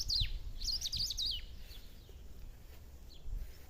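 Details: Countryside recording of a black-throated saltator: a brief burst of quick, high, slurred notes in the first second and a half, then mostly low background rumble with a faint final note.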